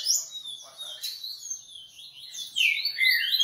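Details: Fast, jumbled Coleiro song of sharp high chirps and whistled slurs, dropping slightly in the middle, then a loud burst of rapid down-slurred notes.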